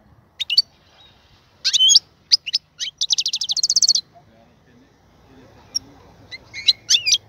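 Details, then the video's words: European goldfinch singing in a cage prepared for mating: isolated chirps, a rasping note, then a steady rapid buzzy trill lasting about a second, followed by faint twitters with soft background rustle. "الغناء الجميل جدا لحسون الحسون"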